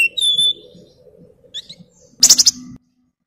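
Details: Javan fulvetta (wergan jawa) singing for master-track training: a brief clear whistled note, scattered soft chips, then a short, loud, harsh rattling burst that ends abruptly.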